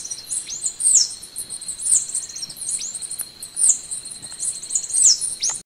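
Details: Golden-winged sparrow singing: very high, thin, sharp notes in short bright phrases repeated roughly every one to one and a half seconds, over a steady high insect-like drone.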